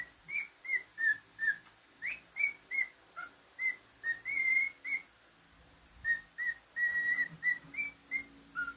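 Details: A pet male cockatiel whistles a long run of short clear notes, mostly level or slightly dipping, about three each second, with a brief pause near the middle and a faint hiss behind.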